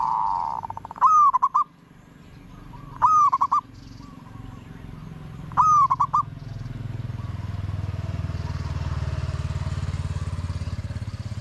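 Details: Zebra dove (Geopelia striata), apparently a decoy bird used in Thai zebra dove trapping, gives three short, rolling, bubbling coos about two seconds apart, followed by a low rumble like a passing engine.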